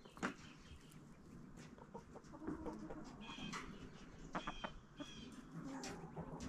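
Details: Backyard chickens eating a pumpkin jack-o'-lantern treat in fall; soft scattered clucks and short chirpy notes over a low background hum, with pecking and rustling sounds throughout.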